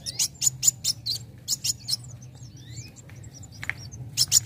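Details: Young sunbird in active song, played to draw others into singing; clusters of high, piercing chirps in quick bursts, a pause with thin faint notes, then more shrill chirps at the end.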